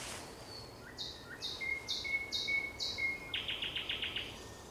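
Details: Thrush nightingale song at sunset, 30 May 2021: five evenly spaced high notes above a long steady whistle, then a fast rattle of about seven clicking notes.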